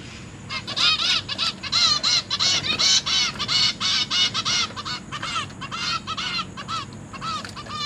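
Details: Zebra finch chicks begging as their parents feed them in a big cage, 29 September 2023: a rapid run of loud harsh nasal calls, close to one per second or faster, thinning into scattered beeps toward the end.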